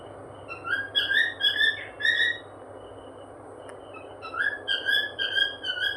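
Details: Happy cockatiel whistling indoors: two bursts of clear, tuneful whistled notes with rich overtones, each short note slightly rising or falling, several notes per second, separated by a quiet pause, over a low background hum.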